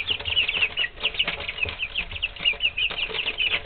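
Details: Several pet chickens aged three weeks keep up a rapid stream of shrill peeps, each a quick high slur, overlapping without pause over a faint low hum.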